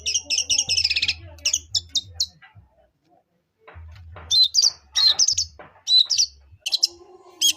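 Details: Sparrow-like fighting song from a long-tailed shrike, bursts of high chattering chirps, a brief quiet gap, then sharp, scattered squeaky notes; low hum in the background.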